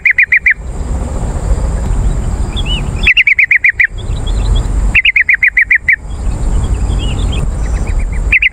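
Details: Yellow-vented bulbul calling, played to make wild birds respond. Regular bursts of about five to seven rapid, bright chirping notes every two to three seconds, with soft distant twitters between and a low rumbling background.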